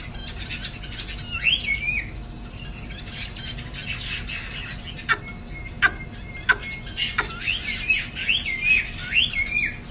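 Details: Caged Chinese hwamei in the afternoon, wing-flaring: bursts of rapid varied whistles and warbles at the start and end, separated by sharp tapping clicks and a thin sustained whistle, over a constant low hum.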